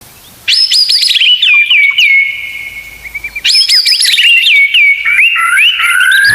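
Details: White-rumped shama (murai batu) masteran song in full 'isian tembakan' style: loud whistled phrases opening with rapid descending notes, then a long steady whistle, a pause, and another rapid burst of sweeping notes.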